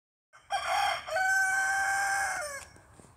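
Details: Rooster crowing: a short opening note, then a long, steady, strained cock-a-doodle-doo held for about one and a half seconds, ending with a sharp downward break and a quiet tail.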